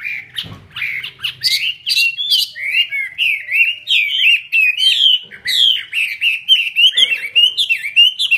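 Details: Chinese hwamei in full song while spreading its wings in display, pouring out a fast, dense stream of varied whistles, chirps and slurred trills, with almost no gaps between notes.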